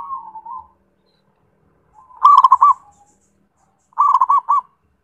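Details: A zebra dove's song: a soft trailing note, then two loud phrases of four or five quick, bouncy coos separated by about two seconds of silence.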